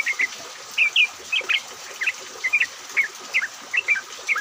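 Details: Yellow-vented bulbuls, a lure recording of many birds singing together to prompt other bulbuls to sing, made despite rain; bright, bubbly whistled notes in short paired bursts, repeated roughly twice a second over a steady hiss.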